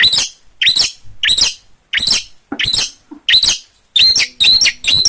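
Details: Actively singing long-tailed shrike, Gunungkidul, Yogyakarta: rasping scratchy notes delivered in an uneven series, the later ones carrying clearer whistled squeaks at their start.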